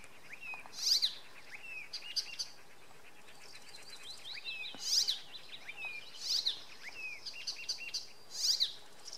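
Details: An icterine warbler singing softly in the evening or late afternoon at Oksywie gives a busy, varied run of high chattering and squeaky notes, with bright accents roughly every two seconds over faint hiss.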